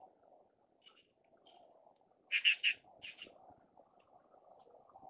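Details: Greater white-fronted geese, a group of six, two adults leading four subadults, migrating south to Kinmen, perhaps to winter or to rest before moving on; filmed with a Sony A9 II camera. Three quick, loud, high yelping notes, then a brief double note, over a low background rumble.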